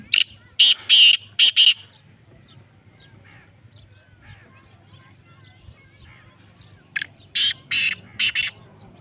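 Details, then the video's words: Black francolin, a pure Lakka nasal type; two series of loud, harsh, buzzy notes, about five in each, with a quiet pause of several seconds between them. "Kala Teetar ki Awaz | beautiful Kala Teetar | Pure Lakka Nasal"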